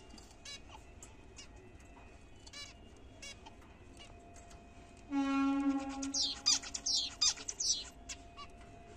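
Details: Zebra finches at a morning feed of apple, fruit and seed, kept as pet birds; sparse short clicks and chirps, then a loud burst of nasal honking calls with stacked harmonics and quick chattering notes overlapping.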